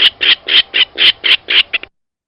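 A Virginia Rail's grunt call: about nine harsh, rasping notes in under two seconds, quickening and shortening toward the end.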